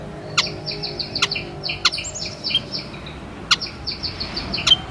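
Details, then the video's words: White-headed munia calling: a run of short, high, thin notes strung close together in two bursts, with sharp dry clicks dropping in every half second or so over a low background hum. "WHITE HEADED MUNIA SOUND EFFECT"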